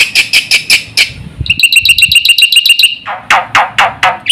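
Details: Black-winged starling in rapid, varied song for provoking and training other birds: harsh repeated bursts, a quick shrill trill of even chirps, then loud downward-sweeping rasps about four per second.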